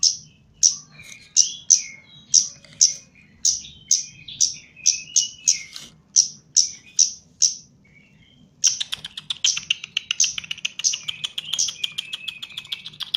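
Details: Chestnut-capped laughingthrush, a caged bird being trained, repeating sharp descending high whistles roughly every half second for eight seconds, then switching to a fast dense chattering trill; low hum in the background.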